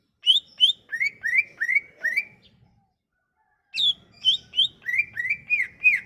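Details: Sumatran leafbird song used to lure and trigger singing in silent leafbirds: rapid clear whistles sliding downward in a fast series, a pause, then another quick run of high flicked and looping whistles over a faint low murmur.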